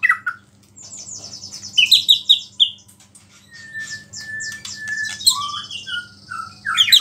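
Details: Singing white-rumped shama loaded with small-bird imitations, used to provoke rival shamas: scattered high chips and trills, a held whistle, then varied slurred notes, faint steady hum beneath.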